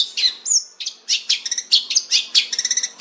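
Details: Long-tailed shrike singing a rich, fast medley: a short whistled glide, then bursts of high, scratchy chattering notes repeated in quick uneven runs, about ninety-five per minute, in a quiet setting.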